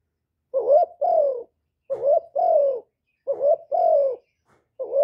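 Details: Cu gáy, a spotted dove, used as a lure to stimulate decoy birds, recorded without background noise. Three two-part coos sound clearly: a brief rising note, then a drawn-out mellow coo that slides downward. A fourth begins at the end.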